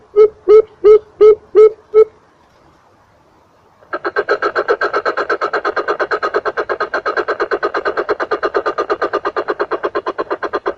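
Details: Coucal call used as a tutor recording for training birds: five deep, hollow hoots about two per second, a short pause, then a long, fast run of pulsed, throaty notes repeated roughly three times a second.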